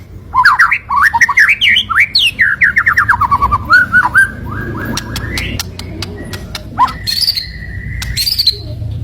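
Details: White-rumped shama (murai batu) fighter bird: tumbling run of quick descending whistled notes, then a sliding upward whistle and a long steady mid-pitched whistle with sharp high clicks, over soft background hum.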